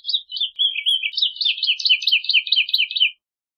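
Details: Woodlark (Lullula arborea) singing a three-second phrase of rapid, high, liquid notes, repeated more than twice a second and dropping slightly in pitch toward the end before falling silent; no other sounds.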